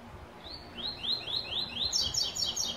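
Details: White-throated seedeater, classic tuí tuí zel zel song with third note: about six rising whistled slurs repeated every few tenths of a second, followed by quick, higher buzzy notes.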